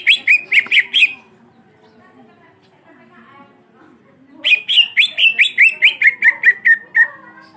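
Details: Greater green leafbird, black-beaked variety, singing its long rolling song to excite rival birds: a short burst of quick chirps, a quiet spell, then a longer run of rapid notes stepping steadily downward.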